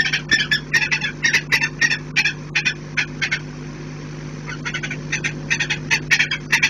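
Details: Saker falcons (Falco cherrug) defending their nest with growing intensity and desperation, January 2018: a harsh, rapid alarm cackle, two to three raspy notes a second with a brief pause, over a steady low mechanical hum.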